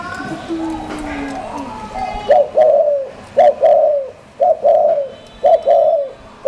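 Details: Caged spotted dove from a collection in Hanoi, Vietnam, cooing in the Thổ style: after two seconds of faint low murmuring come four paired coo phrases, each a short clipped note then a longer mellow, slightly falling coo, about one per second.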